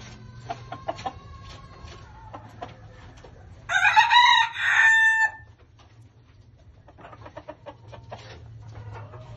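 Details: Exchequer (tiger) Leghorn rooster (Gallus gallus domesticus) gives a loud, harsh two-part crow amid soft clucks, with a low background hum.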